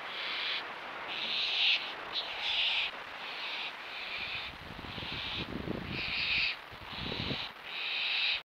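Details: Young barn owls on a perch at feeding time, repeated raspy hissing calls of about a second each over steady background noise, with a few low soft thuds.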